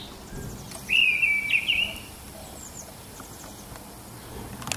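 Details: Single phrase from a singing mistle thrush, recorded in the morning in March or April 2010: a loud, clear, slightly wavering whistled warble lasting about a second, then near silence with soft background noise.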